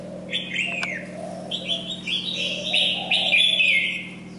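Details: Molting red-whiskered bulbul kept in a cage, still singing with vigour; a short falling whistle, then a run of loud warbled phrases building toward the end, over a constant low electrical hum.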